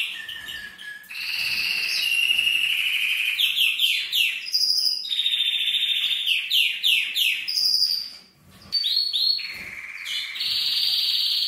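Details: Male canary song meant to excite the female for mating: varied rolling trills, runs of rapid swooping notes, a brief pause, then sustained high trills resuming.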